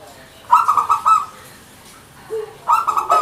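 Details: Zebra dove (perkutut), local Indonesian bird, singing a gacor manggung song: a bright, rolling trill of rapid pulsed notes, repeated twice with a short lower note between phrases.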